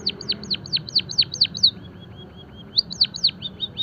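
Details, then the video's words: Java sparrow song for training and stimulation: a rapid series of bright, steeply falling chip notes, a pause with soft quiet ticks, then more loud descending chirps and short trailing notes. "emprit kaji gacor - masteran dan pancingan burung pipit jawa peking bondol haji biar gacor"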